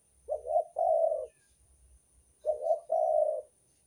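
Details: Spotted dove of the Banten type, used as a lure call in Indonesia: two low, mellow cooing phrases about two seconds apart, each a short soft note and then a longer rolling coo, over a faint steady high whine.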